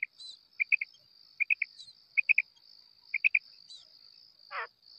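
A female quail gives quick groups of three sharp, high notes about once a second over a steady, shrill insect drone.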